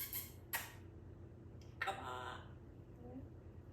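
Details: Eight-year-old female African grey parrot, which has recently laid an egg, replies "oh come on" in a slightly nasal, harmonic human-like voice after two sharp clicks in a quiet room, on being told she is a girl.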